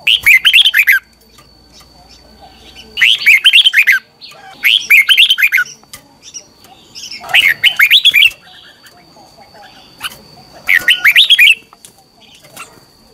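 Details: Morning training song of a Red-whiskered bulbul, played as a lure to stimulate other birds to sing hard: five loud, rollicking whistled phrases, each about a second long, repeated roughly every two and a half seconds.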